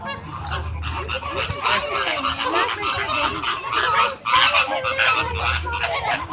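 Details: A flamingo flock in squawking conversation: loud, crowded nasal honks rise and fall in waves, with faint human voices in the background.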